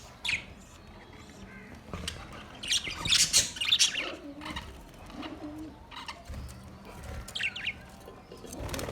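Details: Budgies chirping: scattered sharp, high chirps and squeaks, with a louder, busier cluster of notes around the middle, soft rustling and wing-flap noises, and quieter gaps between calls.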